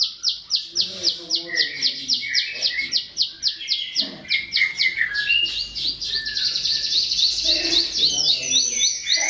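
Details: Bar-winged prinia song for training cage birds: quick high repeated notes that speed into a dense trill, with lower chirps and whistles from other birds beneath.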